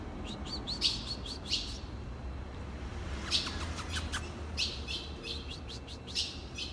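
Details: Ultramarine grosbeak calling: bursts of sharp, high, metallic chips, some doubled or in quick clusters, spread through the clip over a loud, steady hiss.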